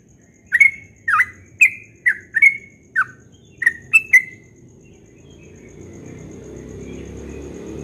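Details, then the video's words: Dawn ropel song of a yellow-vented bulbul. There are eight or nine sharp, bright chirps over about four seconds, some falling and some rising, followed by quiet with a faint rising background hiss. "Trucukan Ropel Subuh suaranya merdu sekali"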